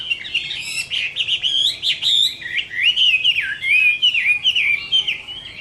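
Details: Summer midday fighting song of a Chinese hwamei: fast, varied whistled flourishes and sweeping slurred notes, loud and continuous with brief dips between phrases.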